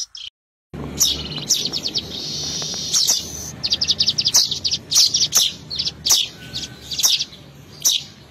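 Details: Weaver calls used as a trapping lure: thick, high-pitched chattering overlaid with sharp clicking chirps roughly every half second. A short faint whistled note appears partway through.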